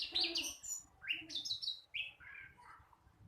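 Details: A flycatcher still learning its song utters a string of sliding whistles stepping downward in pitch, some clear and some slightly buzzy, fading toward the end.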